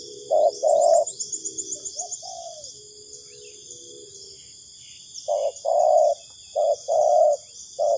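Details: Spotted dove cooing as a trapping lure: paired low hoots, a short note and then a longer coo. A brief rapid series of high chirps from another bird comes early, over an ongoing shrill insect drone.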